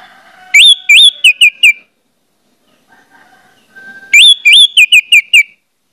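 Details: Orange-headed thrush song meant to make other orange-headed thrushes sing quickly: two phrases of five or six loud whistles, the first notes rising, the later ones shorter and falling, separated by about two seconds of near quiet.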